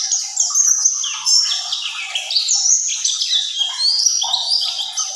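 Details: Ngerol song of a mountain white-eye: quick, high twittering phrases of slurred chirps and short trills, delivered in a near-continuous rolling flow.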